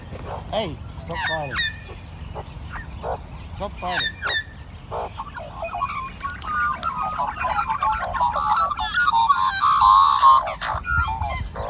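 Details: A flock of magpies, at least three families sharing a home range for over a year, serenades its human friend. Sharp separate calls come first, then a loud, continuous warbling chorus of gliding, fluting tones.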